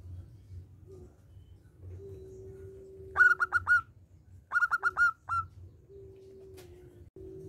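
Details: Local zebra dove singing strongly in a small voice, used as a lure to prompt other doves to sing: three bursts of rapid, rolling coo notes, four or five each, over a continuous low steady tone and soft rumble.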